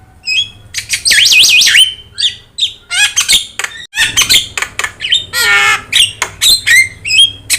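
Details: Javan myna with yellow eyes in full song as a master tutor for other birds; wavering looped whistles, raspy squawks and a buzzy rattling phrase amid clicks, over a faint low hum.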